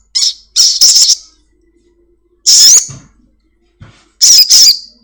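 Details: Lure recording of a home-kept sogon (Crimson sunbird) singing eagerly to set kept birds calling: loud, rasping, high-pitched bursts in pairs roughly every one to two seconds, with brief quiet gaps.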